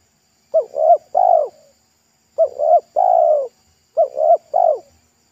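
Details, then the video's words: Local wild spotted dove at a roadside during a trapping attempt, its voice described as thick and loud in the 'pesom' style. Low husky coos come in three two-to-three-note phrases, each ending on a longer drawn-out note, with pauses between. "TEKUKUR LOKAL RASA PESOM"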